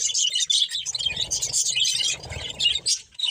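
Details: Budgerigars chirping and warbling as they eat, a busy tangle of high, scratchy twitters running without break, with soft low knocking and rustling noises in the middle of the stretch.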